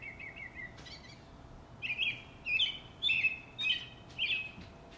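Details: Backyard robin song: after a few soft opening notes, loud clear whistled phrases come in quick succession, each a rich, slightly rising-and-falling carol, about two per second.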